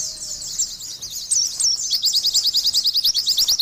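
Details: A high, busy chatter from an Oriental white-eye opens softly with scratchy notes and a couple of squeaky slurs, then settles into a steady, rapid series of thin, sharply rising notes.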